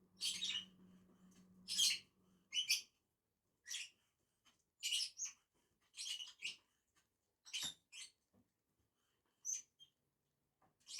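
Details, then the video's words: A pair of lovebirds feeding in a tree utter scattered shrill, scratchy chirps, bursts every second or so, with a low hum early on and a faint tap. "two inseparable Agapornis eating on a tree"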